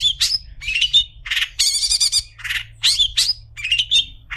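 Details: Long-tailed shrike song offered as a tutor recording for other shrikes: loud, rapid bursts of harsh chattering and squeaky, buzzy notes, rising and falling, given in quick clusters with short gaps.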